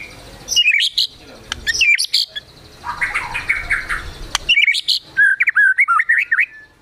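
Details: White-rumped shama singing with agitated gacor emosi energy, its repertoire filled with sogon and kunti imitations. High chattering bursts lead into a quick string of wavy, jerky whistles near the end.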